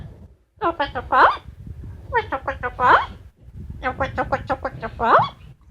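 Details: Pet female Amazon parrot indoors producing three bursts of fast, babbling, voice-like chatter, each a string of short squeaky notes ending in a louder rising squawk, with the owner's praise between.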